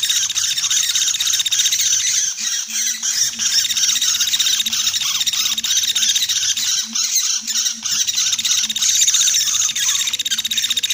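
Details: Common flameback lure played to draw in birds for trapping: an unbroken, harsh, high rattling buzz over eleven seconds, with fluttering pulses and a faint low hum that cuts out twice.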